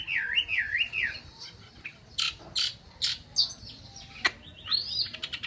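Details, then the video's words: Chinese hwamei, a cage bird in Vietnam, gives a wavering whistled trill of undulating notes, followed by scattered sharp clicks and short buzzy bursts with quiet gaps. "chim họa mi"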